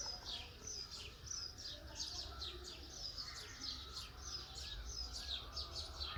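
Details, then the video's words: Calm early-morning birdsong at a countryside stay near Ooty, India: many quick, sharp, high chirps and descending twitters overlapping continuously, with faint lower whistles and a constant soft rumble of background noise. "Calm Birds Chirping Sound"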